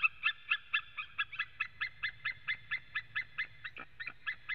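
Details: Male white-tailed eagle calling from a nest webcam in Latvia on 23 September 2017 at 14:12, with another male calling too: a fast run of about nineteen yelping, harsh notes, evenly spaced over four and a half seconds.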